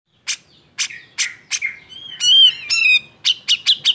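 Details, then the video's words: Cucak jenggot giving an agitated, emotional song meant to provoke other birds into singing: sharp repeated chips, then rich warbled whistles with rising and falling notes, ending in quick chip bursts. "Gunakan Suara Jenggot EMOSI ini untuk MEMANCING CJ yang MALES BUNYI"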